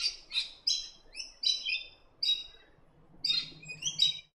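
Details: Scaly-breasted lorikeets, a noisy nectar-feeding flock from Australia's east coast, giving shrill, screechy high chirps in rapid bursts, about eight harsh notes in four seconds, with faint low background rumble.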